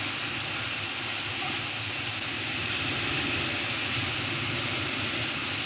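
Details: Dense, even roaring hiss like passing train or strong wind noise, filling the recording without any animal calls.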